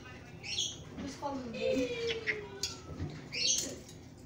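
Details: A grey male Indian ringneck (rose-ringed) parakeet, eating a walnut up close, gives two short, harsh, high chirps near the start and end, with a person's voice and a drawn-out falling whistle between them.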